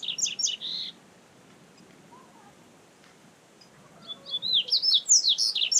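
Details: Double-collared seedeater in nature, recorded live: the end of one phrase of clipped chirps, a quiet pause with faint distant calls, then a loud series of whistled notes rising and falling rapidly.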